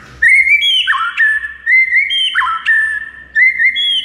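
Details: White-rumped shama song used to make a silent bird sing: clear whistled phrases that step between two pitches with a dipping slur, repeated three times, loud and pure over a faint low hum.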